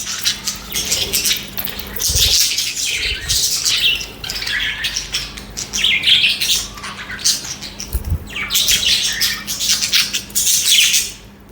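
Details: Budgies (parakeets) singing and chattering continuously: rapid, raspy, warbling high chirps in long overlapping runs. A couple of low thumps and a faint steady hum can be heard beneath.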